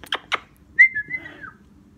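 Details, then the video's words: A pet parrot at home, apparently blowing kisses and repeating its family's phrases, makes two quick smacking kiss sounds, then a clear, level whistle that wavers and drops at the end. "LORO HABLANDO"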